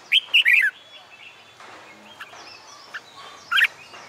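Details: Red-whiskered bulbul in song during summer daytime, recorded for contest-singing training: a brisk run of three or four bright warbling notes at the start, a long quiet stretch, then one short whistled flourish near the end.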